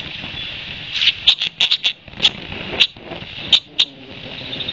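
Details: Territorial red-winged blackbird keeps up its harassment of nesting ospreys at Long Beach Island, New Jersey, one June afternoon; scattered short, clicking chips, about a dozen, rise over a steady hiss of background noise.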